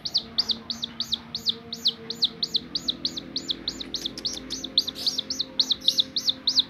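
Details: Domestic chicken chick that will not leave its carer, running toward a finger: loud, high peeps, each rising then falling, repeated steadily about four times a second throughout, with a faint low hum in the background.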